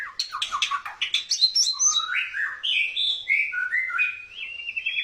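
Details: White-rumped shama singing in a courting style; a fast, varied run of clear whistled and slurred notes, first rapid descending chips, then longer rising and falling whistles.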